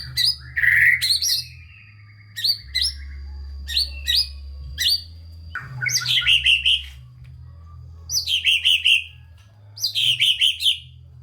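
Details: Shama song, white-rumped, played to rouse lazy shamas into singing: loud sharp whistled notes with sweeping slurs, later clusters of fast buzzy chattering phrases about every two seconds, over a constant low hum.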